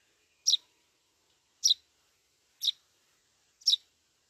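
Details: Eurasian tree sparrow chick begging for food, giving four high, shrill chirps spaced about a second apart against near silence.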